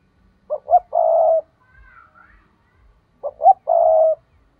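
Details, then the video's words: Spotted dove decoy bird calling in the 'thúc' style meant to draw wild doves into a trap: two clipped coos and a drawn-out, throaty coo, repeated twice, with faint higher chirps between phrases. "Chim cu gáy thúc || tiếng chim cu gáy mồi chuẩn"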